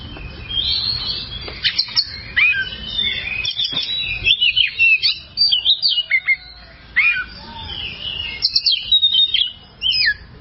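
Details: Oriental magpie-robin, known as kacer, in a long training song for other songbirds: varied whistles, fast descending slurs and chattering bursts, separated by short gaps.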